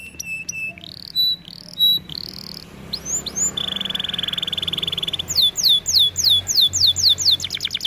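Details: Canary training song made of varied whistled notes and upslurs, a long steady buzzy roll, then a run of rapid descending sweeps repeated about ten times, with a fast trill at the end.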